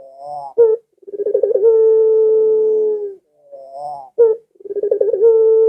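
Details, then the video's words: Barbary dove heard through two full coo cycles, used to entice house doves to join in. Each starts with a rising murmur and sharp note, rolls through quick pulses, and stretches into a long steady low tone. "Suara Burung Puter Ini Memikat Puter Anda Dirumah Sehingga Ikut Bunyi"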